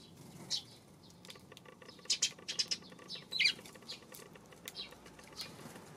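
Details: Eurasian tree sparrows on an April 25 afternoon, giving scattered short high chirps, clustered and loudest in the middle, with soft clicks and a faint low background hum.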